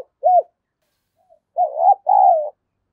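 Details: Spotted dove lure bird, 'đồng pha' voice style, calling to provoke fighting: one short arched coo, a silence, then a two-part phrase of a wavering coo and a long steady hoot.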